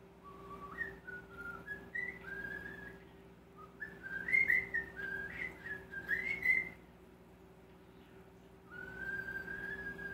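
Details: Mimicking male common starling, known for kisses, laughing, clicking, raspberries and phrases, whistles a tune: a clear warbling line climbing and dipping in short linked notes, a pause, then a further level whistle over a faint hum.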